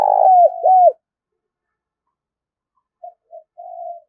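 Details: Spotted dove 'thúc rút' trapping lure call. It opens mid-phrase with a rolling coo and two hooked, falling notes, then a long silence and a few soft, low murmured notes.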